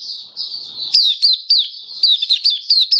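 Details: Caged Oriental white-eye produces a short high twittering phrase, opening with a thin steady trill, then a string of crisp falling chirps repeated roughly every quarter second.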